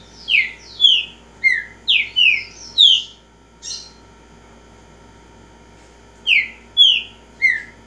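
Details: Green-winged saltator known as a repeater, singing a burst of about seven quick downslurred whistles, a harsher note, a gap of silence, then three more descending whistles.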